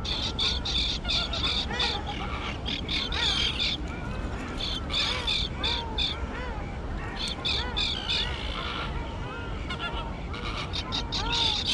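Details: Recently fledged young terns in their island colony overgrown with thick grass; dense continuous grating calls from many birds, rapid and overlapping throughout.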